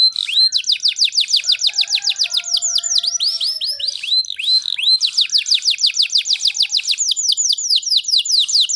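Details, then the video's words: Canary tutor song for young birds: long fast series of sharp descending whistled notes, repeated several per second, with a brief softer gap midway and faint low whistles beneath. "Burung kenari gacor cocok untuk MERANGSANG kenari bahan agar cepat gacor"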